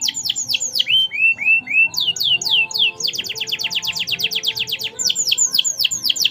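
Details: Kenari, or canary, in merlok-style song, singing gacor: a rolling run of quick downswept whistles and slurred notes, then a long, very rapid, even trill before the sweeping whistles return.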